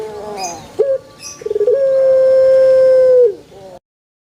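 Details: Puter pelung dove calling in a banana garden, its pelung-style coo: a brief rising note, a fast trembling run of short pulses, then one smooth level tone sustained for roughly one and a half seconds before falling away.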